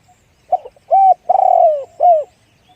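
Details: Spotted dove cooing in the one-'kuk' style with a deep voice: a short note, an arched coo, a long tremulous descending coo, then a last downslurred coo. Faint noise between notes.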